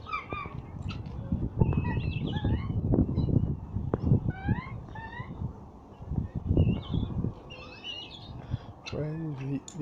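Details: Turkeys in a pen at Margam Park, with the hen joining in: repeated squeaky, rising yelps and chirrups, then low, throaty clucking near the end over a steady rumble of wind and handling noise.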